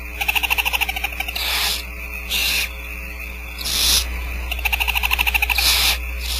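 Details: Nest box camera at Starr Ranch with barn owl owlets being fed by the female; several rasping hiss bursts alternate with trains of rapid, evenly spaced pulsed croaks.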